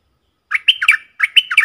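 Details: One of four decoy bulbuls in real forest, recorded 31 July 2021, repeating a rapid, liquid, bubbly phrase twice within about a second, each dropping and rising in pitch.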